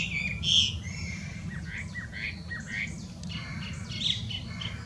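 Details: Wild Chinese hwamei, an invasive species in Japan, with a loud whistled note followed by softer scattered chirps and slurred whistles, partly masked by strong low environmental rumble.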